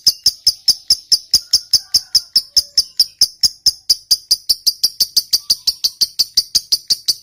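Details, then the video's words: Lovebird giving a long ngekek trill meant to provoke other lovebirds into answering: a steady series of sharp, high clicking chirps, about four to five per second, continuing without pause. "Suara Burung Lovebird Ngekek Panjang, PINTAR Memancing EMOSI"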